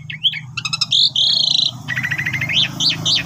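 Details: Asian pied starling song meant for tutoring new birds: a whistled note, a stuttering rattle, a long buzzy phrase, rapid chatter and sharp rising chirps, with steady low hum underneath.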